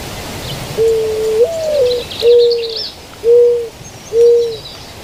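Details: White-winged dove in California in the morning giving a low, hooting coo: a long note that lifts briefly, then three shorter even hoots about a second apart. Faint chirps of other birds behind.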